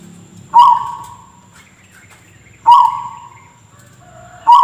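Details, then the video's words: Zebra dove with a strange cough-like voice: three short, clipped, rasping notes, each falling away quickly, spaced roughly two seconds apart against a quiet background. "Suara Perkutut Teraneh di Dunia, Seperti Orang Batuk"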